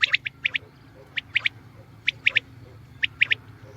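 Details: Common quail calling, known locally as batair: short clipped triple notes, sharp and liquid, repeated in spaced bursts of three about once a second over a low steady hum.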